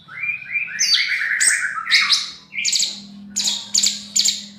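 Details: Caged young male spotted bulbul delivers a rich, fast warble of stepped whistles that climb and fall, then three quick high chirping bursts, against a low steady hum.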